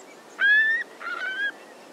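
A Eurasian curlew gives two slightly rising, reedy whistled calls, each under half a second, the second hoarser. Faint background hiss beneath.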